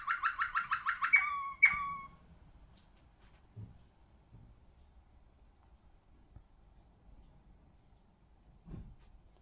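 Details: Malinois Waterslager canary (ring 28/23) gives a quick rolling burst of about nine low, bubbling notes, then two longer ringing tones, followed by quiet with a few soft knocks.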